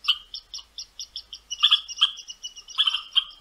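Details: Short chattering "churts" from a western meadowlark returning to a feeder in boreal Ontario, quick clipped notes coming in clusters and growing denser and louder midway.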